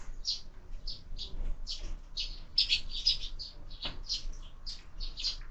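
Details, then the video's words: Sparrows breakfasting at a feeder mounted on a window, birds fed all year; a steady stream of short chirps, roughly several per second, with faint low background noise. "Воробьи в кормушке - завтрак"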